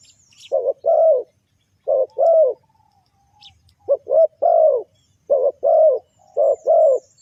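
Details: Lure call of a spotted dove for attracting wild birds, given as repeated low cooing phrases, a quick double note leading into a longer falling coo, with soft distant chirps between.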